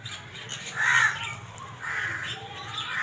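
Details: Black francolin giving two coarse, rasping call notes about a second apart over a steady low background hum.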